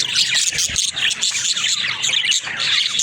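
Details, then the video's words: Pet budgies giving rapid, high chirps and trilling warbles, many voices overlapping in a lively unbroken chorus, with a short low knock near the start. "Funny Talking Budgies"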